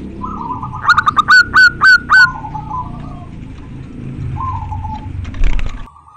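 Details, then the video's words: Local zebra dove, a male calling to a female, described as very clear and lively: a run of five loud, rapid, ringing coo notes, with softer drawn-out trilling before and after over a low background rumble. "Perkutut lokal gacor sangat jernih suara panggilan jantan manggil betina"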